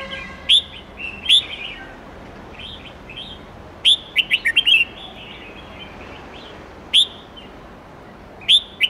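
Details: Red-whiskered bulbul, wild-standard many-voiced song with 8-9-10-note phrases, played to teach young birds: loud single whistles at intervals plus one fast cluster of five warbling notes, softer bird chatter underneath.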